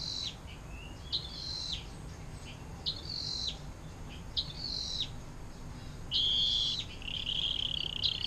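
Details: Canary giving 'air mancuran' style song kept as a tutor recording for other songbirds; scattered high chirps and short bright phrases separated by pauses, ending in a brief steady trill near the close.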